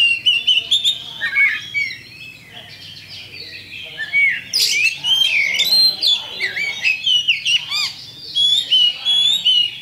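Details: Lure song of a champion kacer, the Oriental magpie-robin, meant to make other birds fight: rapid, varied whistled notes and twittering trills, about two to three notes a second, rising into a dense, loud outburst midway.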